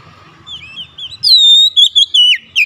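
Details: Oriental magpie-robin calling other birds, which reply: quiet soft notes, then a loud pure sustained whistle breaking into several short slurred whistles.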